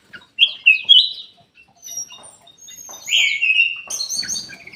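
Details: Ruby-throated bulbul song, played as a lure to get lazy caged birds singing: a few sharp chirps, then a bright descending whistle, followed by a burst of fainter chattering notes.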